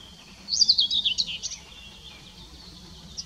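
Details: Yellowhammer singing at Kotthausen, Wuppertal Beyenburg, Germany, on 23 July 2021: a quick run of about eight high, dry repeated notes lasting roughly a second, followed by quiet with faint low background hum.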